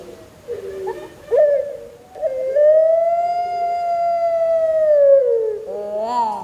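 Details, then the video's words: Barbary dove, a breeding parent bird of the pelung type, kept as a songbird and described as singing often; one very long drawn-out tonal coo, steady and slightly arching, following shorter rough notes and ending in a wavering flourish. "Puter Pelung Gacor"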